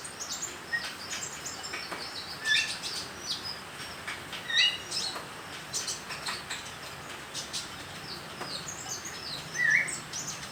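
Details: Young konin bird learning its song: scattered high, short chirps and ticks, then a clearer slurred whistled note near the end, against light background rustle.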